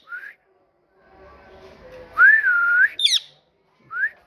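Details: Parrot whistles softly, then gives a loud, wavering whistle followed by a crisp high chirp and a brief rising note, with faint background murmur.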